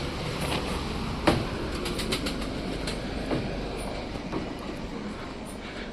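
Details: Steady rumble and clatter of a passing train with sharp metallic clicks, and no animal calls.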